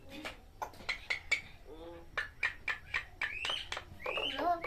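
A common myna mimics human speech with quick, uneven bursts of talk-like syllables, a low hoarse phrase, and shrill rising whistles near the end.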